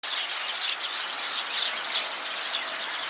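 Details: A flock of Eurasian tree sparrows calling together in a tree makes a dense, continuous chatter of short high chirps overlapping without pause.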